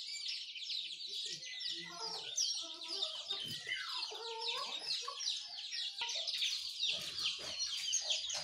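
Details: Morning song of sooty-headed bulbul, yellow-vented bulbul and white-eye: constant high, thin twittering overlaid with lower, bubbling warbled phrases near the middle, many birds calling at once.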